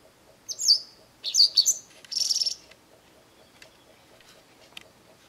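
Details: A Japanese wagtail calls insistently from a garden. One sharp chirp is followed by a quick double note, then a buzzy, trilled high phrase. After that come a few faint ticks and quiet.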